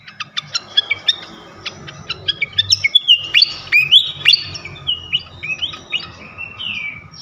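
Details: Flycatcher song played as a lure to provoke other flycatchers: rapid sharp chirps speed into a twittering run of high, sliding whistled notes, some rising and some falling, over a faint steady background tone.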